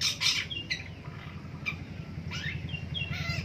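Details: Long-tailed shrike in the morning producing raspy squawks and quick slurred chirps, over a steady buzzing low hum.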